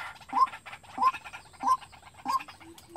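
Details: Decoy white-breasted waterhen, trained to sing alone for trapping. It makes rising, slightly drawn-out notes repeated about every 0.65 seconds, with some chatter and clicking underneath.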